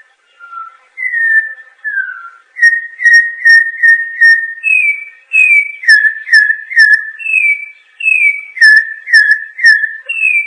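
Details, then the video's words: Campo troupial (Icterus jamacaii) singing rich, clear whistles: short down-slurred notes repeated about twice a second, broken by higher rising phrases, with no other sounds. "Canto do Corrupião Icterus jamacaii Campo Troupial"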